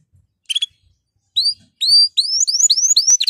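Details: Excited male canary in breeding condition. After a few isolated chirps, it launches into quickening rising whistled notes that run together into a rapid sequence.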